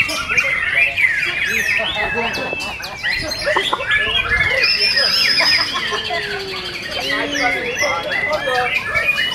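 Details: White-rumped shama in a cage at a singing contest, delivering rapid high chattering phrases and a long steady whistle, mixed with other competing birds and people talking in the background.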